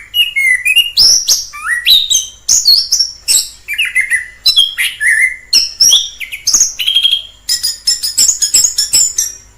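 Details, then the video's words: Orange-headed thrush in the wild, singing a continuous, loud, varied song of whistled and slurred phrases, mixing lower fluty notes with high sharp chips and rapid mimic-like trills, with no pauses and no other sounds. "Suara asli anis kembang di alam liar"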